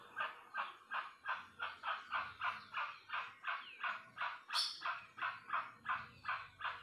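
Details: Rusty-margined guan song: a loud, steady series of harsh honking notes, about three per second for seven seconds, with one sharper high note near the middle.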